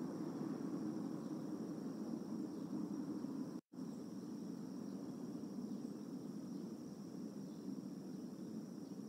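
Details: Steady broadband outdoor hiss with a low rumble through the lower range, broken by a brief dropout, and no animal calls.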